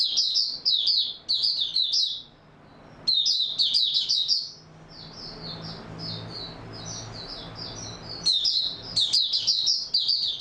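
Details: White-eye in stable buka song, 28 February 2022: dense high twitter phrases, a quieter thinner warble in the middle, then loud rapid chirping again at the end over faint low hum.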